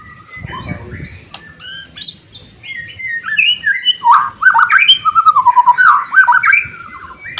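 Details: Loud provoking song of a white-rumped shama, said to make other shamas emotional and ready to fight: varied chirps and whistles building into a fast run of rippling, repeated liquid notes.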